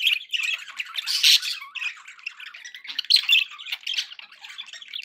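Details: Domestic budgies kept indoors give a busy, scratchy warble, mixing buzzy squawks with quick high chirps and one louder harsh burst near the start, chattering without pause.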